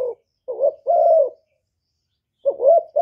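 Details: Cà Mau decoy spotted dove luring wild doves: a few soft coos, a short note then a longer level one, a pause of about a second, then the phrase starts again; quiet background.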